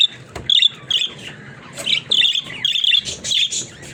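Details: Budgerigars kept as pets chirping and warbling in quick, scratchy phrases, rising into a dense run of bright buzzy notes in the second half.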